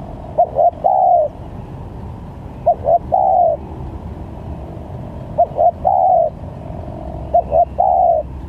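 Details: Trapping lure of a spotted dove, with varied calls: four phrases of a short double coo and a longer falling coo, recurring every two to three seconds, with low engine-like rumble in the background.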